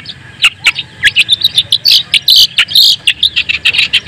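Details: Singing white-breasted long-tailed shrike, used to provoke other shrikes: sharp chips building into longer buzzy, scratchy phrases, then fast repeated squeaky notes.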